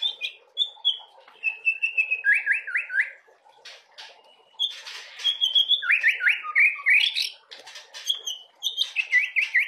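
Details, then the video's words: White-rumped shama fledgling's song with fill-in material: runs of quick rising and falling whistled notes in fast series, mixed with harsh buzzy bursts and brief gaps. "Murai Batu Trotolan suaranya udah kaya gini isiannya"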